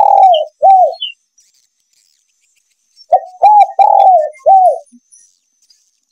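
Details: Lure call of a male spotted dove for hunting: two arched coos, a pause of two seconds, then a phrase of four husky coos with a drawn-out middle note.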